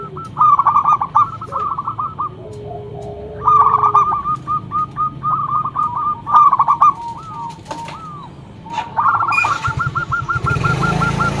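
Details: Local zebra dove, loud and in full song, used as a lure bird: bursts of rapid, hollow cooing notes strung into rattling phrases, pausing between runs, with a low background hum and rustling noise near the end.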